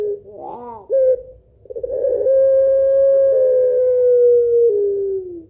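A Barbary dove gives a quick wavering, laugh-like burst, then one long, smooth, mellow coo. The coo holds steady for several seconds before sliding gently downward.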